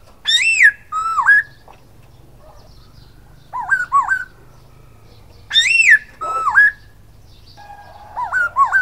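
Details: Silver-eared laughingthrush song, clear whistled phrases: a high arched note falling away, a lower dipping note that swings back up, and paired wavy rising-falling whistles, repeated in bursts with short silences.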